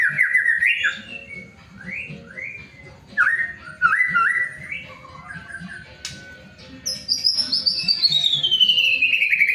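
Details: White-rumped shama lure song for prompting other shamas to sing: repeated short, bouncy whistled phrases with upward flicks, ending in a long, high whistle that slides steadily downward.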